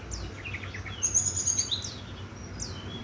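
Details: Brown-chested jungle flycatcher singing on a bright morning: a few short, high whistled slurs, then a thin, very high sustained whistle with quick sweeping notes, over faint low background rumble.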